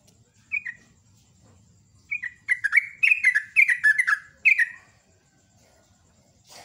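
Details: Sooty-headed bulbul, loud morning song used as a master for training birds: a single bubbly note, then a lively run of short liquid, falling chirps with clicking accents, ending in one more note before quiet.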